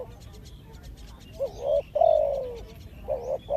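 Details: Spotted dove decoy cooing loudly nearby: a short coo, a long drawn-out note falling at the end, then another short coo. Faint rapid ticking and chirps of other birds come before.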